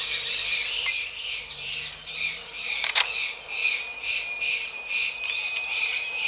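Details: Gray-breasted Parakeets mating: scratchy high chatter with a sudden click-like burst near three seconds, then a run of evenly spaced rasping squawks, over a thin steady background whine.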